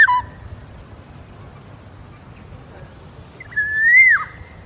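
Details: Black-naped oriole heard with a clipped whistle at the start, quiet for about three seconds, then a single long fluty whistle that climbs gently and falls away quickly, over low-level rumble.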